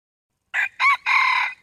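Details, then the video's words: Wild red junglefowl cock crowing at moderate volume: two short rough syllables followed by a long steady hoarse note; the final syllable is missing. "Suab lau qaib qus qua zoo dib heev"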